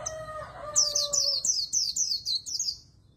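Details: Oriental white-eye singing a very fast líu fighting-style song used for voice training: about eight high, slurred whistled phrases in quick succession after a brief low tonal sound at the start.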